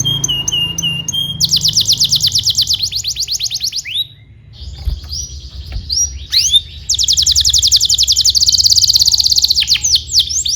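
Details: Canary singing, recorded to teach young canaries to sing: whistled notes, then long rapid trills, a short pause with softer sounds, and further fast rolling trills.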